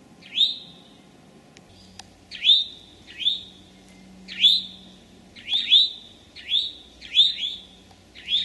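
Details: Eastern towhee, late morning, 25 May 2011, Massachusetts forest at Sudbury or Marlborough: rising whistled notes repeated about every second, some doubled in quick pairs, with a faint low hum beneath.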